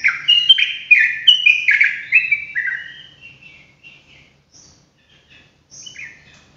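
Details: Sooty-headed bulbul singing ropelan style: a dense burst of loud, liquid slurred whistles for about two and a half seconds, then softer scattered chirps and brief high notes trailing off.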